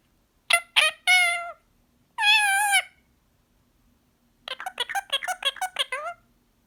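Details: Green pied male Indian ringneck parakeet talking in a relaxed mood: two quick syllables and two long drawn-out nasal words, then a fast chattering run of short squeaky syllables.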